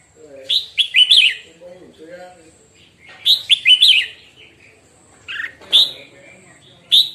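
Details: Morning training session of a red-whiskered bulbul: lively whistled phrases of several quick chirpy notes come in bursts about every two to three seconds, with faint low murmuring between them.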